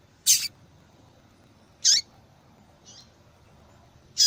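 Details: Calling female yellow-bellied seedeater, a sound used to excite a cold male into song. Three quick, high, sharp chip notes are heard, the first slightly longer, along with a faint weaker note, against low steady background hiss.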